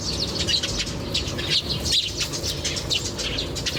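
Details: Birds chirping outdoors in nature: a dense chorus of short high twittering notes overlapping one another, steady throughout, over a low background rumble.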